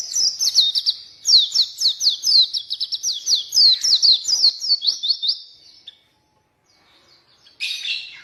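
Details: Oriental white-eye singing steadily, a song meant to draw out and train white-eyes that will not sing: a long unbroken string of quick, high, downslurred chirps, then a pause and a brief rough warble.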